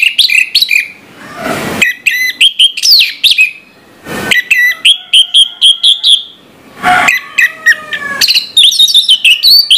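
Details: Long morning song of an orange-headed thrush: runs of rapid repeated chips and whistled trills, varied slurred phrases, and several short bursts of rustling noise.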